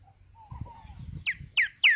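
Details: A green-winged saltator sings the "tempera viola" song type outdoors: a soft thin whistle, then three loud, clear downslurred notes about a third of a second apart, over a quiet background rumble.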